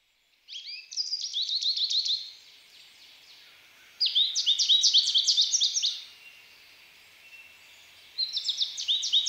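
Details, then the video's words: American goldfinch singing: three bouts of rapid, bright twittering and sweet warbled notes, each lasting about two seconds, with quiet gaps between them and no other sounds. "How does the American goldfinch sing?"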